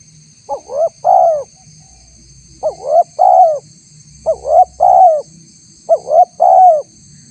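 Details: Rapid run of four spotted dove phrases from a recording meant to lure wild doves. Each phrase has two short upswept notes and then a drawn-out mellow coo, with little pause between phrases. A thin high whine persists.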